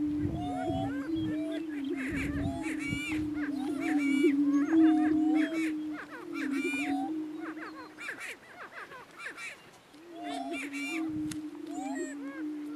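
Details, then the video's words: Greater prairie chickens, two males battling for dominance on a lek in northeast Kansas: a steady low hooting hum held for about eight seconds, then resumed, with many short rising cackles and whoops layered above from the gathering. "Prairie Chicken Battle"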